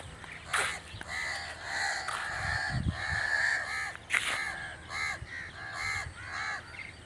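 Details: Crow giving a string of loud, raspy caws, roughly one every second or so with uneven spacing, some notes rising then falling, with faint low thuds beneath.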